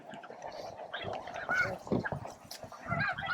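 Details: Thousands of snow geese, with a few Ross's geese among them, feeding, grooming and facing off for space at Bosque del Apache around noon; a dense, overlapping din of nasal honks from many birds at once.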